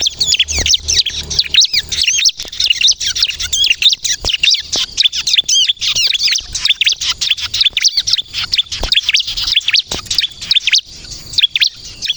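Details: Bar-winged prinia, crystal type, singing energetically as a lure to make others answer: an unbroken, fast stream of high, shrill chirps and twisting slurs lasting about twelve seconds.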